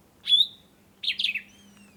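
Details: Sombre greenbul giving a sharp upslurred whistle followed by a quick jumbled series of falling, slightly buzzy notes; a faint low hum and a thin distant whistle underneath.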